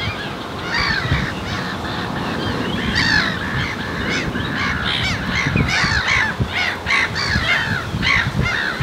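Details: Black-tailed godwits of the Icelandic subspecies at Marshside RSPB Reserve, Southport, Lancashire, 19 June 2014, recorded on a Lumix GH4; many overlapping nasal, arched calls from a flock over rumbling background noise.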